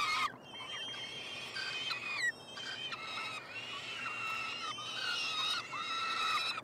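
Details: Peregrine falcon triplets begging while fed at their nest box on the University of Montreal campus, Quebec, Canada, 21 June 2022: steady chorus of shrill, harmonic whining cries, layered and drawn out, with short breaks between bursts.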